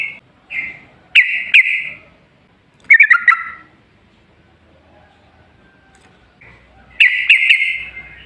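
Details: Scattered liquid chirps and short gurgling phrases of a yellow-vented bulbul, used as a lure for other bulbuls, with long quiet stretches between a few bright note clusters.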